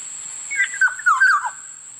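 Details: One mellow, gurgling whistled phrase of a Black-naped oriole, four or five linked notes falling at the end, against a faint steady high tone.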